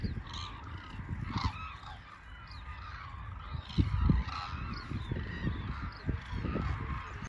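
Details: A flock of hooded cranes (Grus monacha) gives overlapping trumpeting honks, several per second, against a steady low rumble of wind, recorded 7 January 2022.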